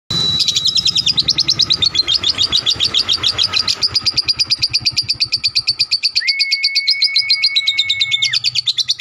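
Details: Lovebird singing a long ngekek, a drawn-out trill used as a tutor song for other birds: rapid, high, chattering pulses sustained for nine seconds, with a steady electronic-sounding tone midway.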